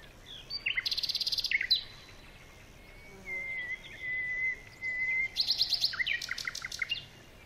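Baya weavers give rapid, buzzy, high chattering bursts, with a long thin whistle held steady between them.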